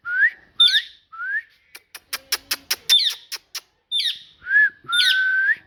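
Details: Talking parrot: rising whistled notes, then a rapid run of about ten sharp clicks, then more squeaky chirps and a long level whistle to finish.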